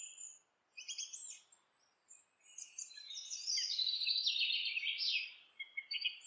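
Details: House wren singing during nest building; scattered short high chips lead into a loud, rich gurgling cascade of rapid notes, ending with a few separate chirps.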